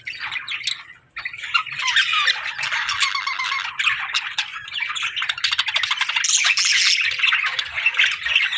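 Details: Several budgies in the afternoon produce a busy, scratchy warble of quick chirps and thin whistles, growing louder after a brief pause near the start.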